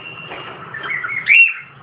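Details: Pet cockatiel kept in a cage, climbing onto a hand and moving over to its partner; a low murmur, then one sharp, rising squawk near the end.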